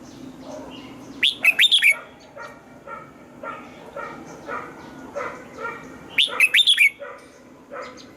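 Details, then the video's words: Red-whiskered bulbul in morning song training, aiming for the mature wild-forest double-note style; two loud bursts of rapid whistled notes about five seconds apart, with softer repeated yelping calls filling the gaps between them. "Luyện giọng cho chào mào hót sáng, ép chào mào hót âm kép già rừng hay tuyệt!"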